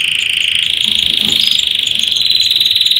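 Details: A canary trill from birds at work on their nest before egg laying: one unbroken, fast, rolling note held at a high pitch, rising slightly toward the close.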